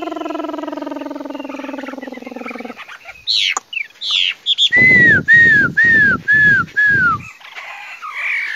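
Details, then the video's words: Chinese hwamei song opening with a low, buzzy, harmonic drone, then breaking into loud clear whistles: five downslurred notes repeated about every half second, followed by a softer warble. "Singing nightingale. amazing bird song. Garrulax canorus"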